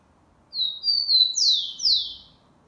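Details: One full phrase of the Xavante song of a Rufous-collared sparrow, recorded 04/10/2020: high sustained whistles stepping slightly, followed by two strong sweeping downward slurs. The melody is called 'affirmative', unlike the questioning Mantiqueira song.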